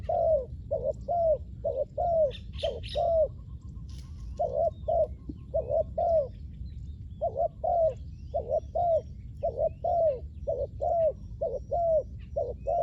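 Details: Spotted dove, kept as a decoy to lure wild doves on the ground, giving low hollow coos in paired notes, a short note followed by a longer downslurred one, repeated in runs with brief pauses. Faint chirps from other birds in the background.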